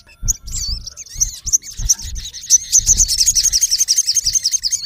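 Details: Male olive-backed sunbird calling a rival in natural habitat: scattered high squeaky notes build into a fast, regular run of sharp chirps, nearly three per second, continuing to the end.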